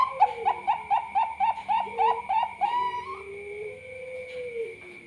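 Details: Zebra dove of the Bangkok type delivering a quick series of nine or ten short, bouncing coo notes. The series ends in a drawn-out, wavering tone, with a high steady whine behind it.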